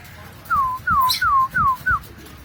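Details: Pet cockatiel whistling five clear, clean notes in quick succession. Each note slides downward and they come about every third of a second in a quiet room.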